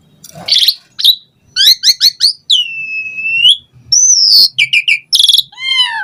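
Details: Asian pied starling varied song: a harsh burst, quick ticking notes, a long sustained dipping whistle, then buzzy chatter and a falling series of whistled notes.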